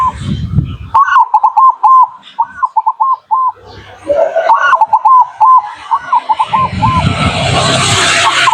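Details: Zebra dove song played as a lure for local birds: two bursts of quick, rolling, bubbling coos at steady mid pitch, each a chain of short notes, with low rumbling handling noise and hiss between phrases.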